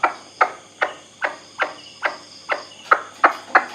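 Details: White-breasted waterhen kept by its owner, recorded as a possible decoy call to play at night for luring birds: harsh, broadband clucks repeated about three times a second in a steady run, with faint high insect hum behind.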